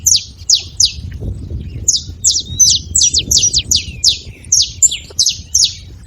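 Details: Free-living saffron finches at a baited feeding spot, noisy: bright, high chirps that slur downward, coming in quick irregular bursts over a steady low rumble.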